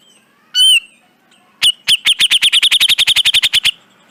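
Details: Training recording for caged birds of a grey-cheeked bulbul: one curved whistle, a second of silence, then a long, accelerating string of crisp repeated pips lasting about two seconds.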